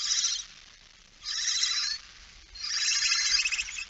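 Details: Barn owl hissing at 06:11 on 17 September 2019, a female present holding a mouse; three breathy, grating bursts, the last longest, separated by short pauses.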